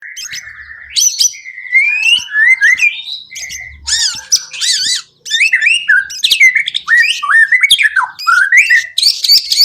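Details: White-rumped shama song used as a lure to get other birds singing quickly: loud varied whistles, slurred rising and falling notes and harsh squawky phrases, dense and continuous with a brief pause near five seconds.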